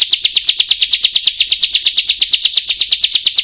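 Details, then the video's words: Bar-winged prinia singing a long, rapid "roll": a fast, even string of high, sharp chirping notes, about eight or nine a second, with no other sounds. "Suara Prenjak / Ciblek Roll Tembak dan Panjang"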